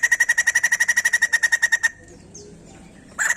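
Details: White-crested laughingthrush song used to stimulate other birds into singing: about twenty rapid, regular rattling pulses for nearly two seconds, a short pause, then another burst starting.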